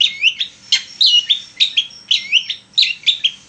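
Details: Long-tailed shrike singing hard, a lure to prompt other shrikes to sing: paired whistled notes, a high sharp note then a lower slurred one, repeated in a regular rhythm with a few harsh chirps between.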